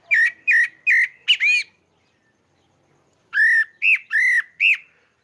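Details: Sabiá-pardo, the pale-breasted thrush, recorded in Maranhão, Brazil: a quick run of four short whistled notes, a pause of over a second, then four more looping, slightly rising whistles.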